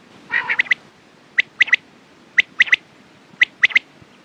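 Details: A short rough buzzy note opens, then quail triplets of sharp, high clipped notes repeat about once a second against a quiet background.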